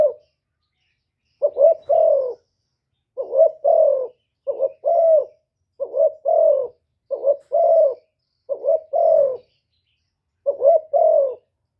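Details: Spotted dove, 'thổ thúc' voice, cooing to incite wild rivals: a series of eight soft, hollow double coos spaced by short silences, each ending in a slightly falling note.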